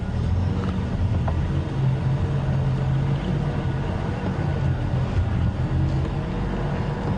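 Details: A vehicle engine rumbles steadily throughout an early-morning drive, with no clear animal sound.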